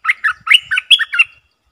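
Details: Streak-eared bulbul kept as a decoy bird for attracting wild birds, giving a rapid string of about seven bubbling, slightly harsh notes, evenly spaced over little more than a second.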